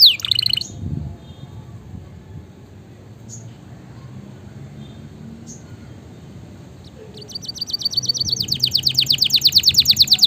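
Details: Canary song for training and stimulating a lazy canary: a brief high trill opens, then near silence with a few faint chirps and low background hum, before a rapid pulsing trill builds loudly over the last three seconds.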